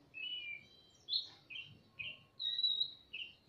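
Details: Magpie-robin male and female calling in reply to each other inside a semi-natural aviary: a series of short whistled notes, some slightly buzzy, plus one longer steady whistle, roughly two notes per second.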